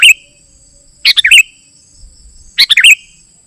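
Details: Sooty-headed bulbul song, used to lure wild bulbuls and to tutor caged birds: a brief note, then two short bubbly, warbling phrases about a second and a half apart, over a steady thin high hum.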